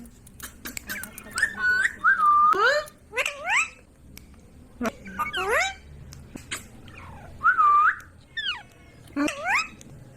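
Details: Ringneck parrot mixing dipping whistles with bursts of rising, squeaky, speech-like notes and clicks, in several separate outbursts.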